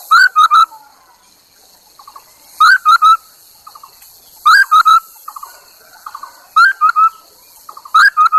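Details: Chinese hwamei used as a lure singing loud, ringing three-note whistled phrases repeated about every two seconds, separated by quiet chattering trills.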